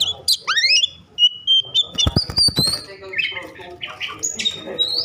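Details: Agitated Oriental magpie-robin, singing to provoke others of its kind; a few rising whistles and a sustained high note, then a cluster of sharp clicks and softer, fainter warbling with background noise.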